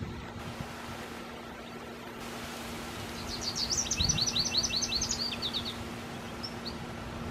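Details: American goldfinch in a tree and drinking water; a quick run of high, thin chirps in a twittering burst of about two seconds midway, with steady low background hum throughout.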